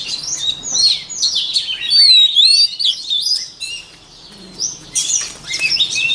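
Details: White-rumped shama song used for voice training of cage birds: rich, fast run of high whistles, slurred notes and chattering trills, with a pause near the middle and a bright burst near the end.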